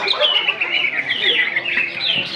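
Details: Greater green leafbird, a male competing in the leafbird class at a bird-singing contest in North Malinau, North Kalimantan, marking Independence Day; fast, continuous twittering warble of varied chirps and trills, with crowd noise and music behind.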